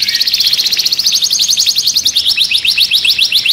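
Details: Agitated canary in a cage delivering a quick, even trill of sharp repeated notes, about several per second, stepping slightly upward midway.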